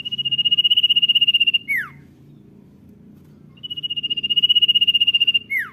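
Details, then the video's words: Two matching "dor nyiul" phrases from a common iora singing "gacor". Each is a long, trilled high whistle that ends in a steep falling note. About two seconds of low hum separate the phrases. "CIPOW GACOR DOR NYIUL MANTUL"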